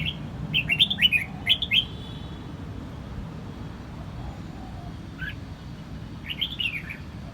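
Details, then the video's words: Red-whiskered bulbul singing in Quang Nam, Vietnam: quick bursts of bright, warbling whistled notes, a cluster early on, then two shorter phrases near the end, over a steady low rumble of background noise. "Vietnam bird is singing!越南广南戴帽鸟之歌"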